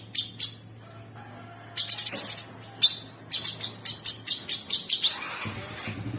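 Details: Sooty-headed bulbul singing coarse 'ngebren' masteran filler for training songbirds. Scattered high chips, then bursts of rapid buzzy notes that become a quick, regular series of sharp chirps before trailing off.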